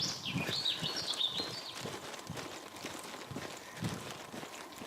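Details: Common blackbird singing in the dark before sunrise at 6:45 in the morning in Midhurst, West Sussex; a short burst of bright, warbling high phrases opens, then fades under steady footsteps on a walk to work.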